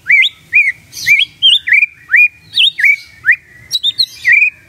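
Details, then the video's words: Morning magpie-robin song played to coax a silent bird into answering: a string of clear, upslurred whistles, each hooked and slightly varied, repeated roughly twice a second with brief scratchy notes between. "Pancingan PAGI PAGI AGAR MURAI GACOR❗ murai diam pasti ikut NYAUT❗❗"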